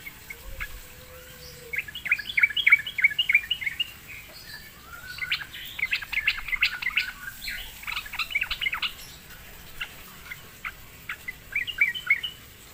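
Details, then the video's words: Sooty-headed bulbul, normally slow to sing, responding after being lured: dense, fast chirping phrases repeated in long bubbling sequences, rising and falling in clusters across the recording. "sekali di pancing trucukan malas bunyi pasti Nyaut gacor"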